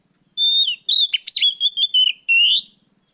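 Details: Oriental magpie-robin, afternoon 'riwik plong' song used as a training lure for other birds. One clear phrase opens with a long steady whistle, then quick looping notes, and closes with a rising whistle.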